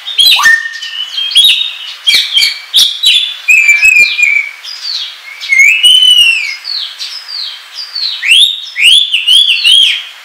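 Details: Oriental magpie-robin singing the ngobra style, used to lure and tutor birds: rich, varied whistled phrases with rising slurs, buzzy trills and sharp chips. The phrases run continuously, ending in a series of repeated upslurred whistles.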